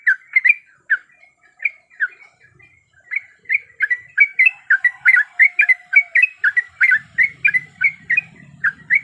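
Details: Breeding female yellow-vented bulbul calling for a male: a long, quick sequence of short, bubbly, slurred chirps, building into a dense chatter, with a low hum entering near the end.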